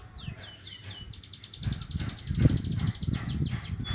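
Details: Javan munia chick learning to chirp, giving a quick run of high, evenly spaced ticks and short downslurred whistles over dense low rumbling noise.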